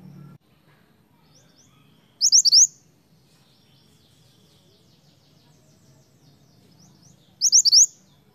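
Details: Snowy-browed flycatcher song, used as a lure for other flycatchers: two short bursts about five seconds apart, each a quick run of four high, thin, sharply rising whistled notes, with quiet low background hum between.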